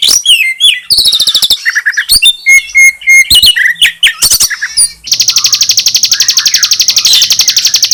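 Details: Bar-winged prinia song joined with a white-rumped shama's song, used to stimulate young birds. It starts with a loud varied burst of whistles, buzzes and sharp notes, then switches to a fast, even, high trill of rapidly repeated notes.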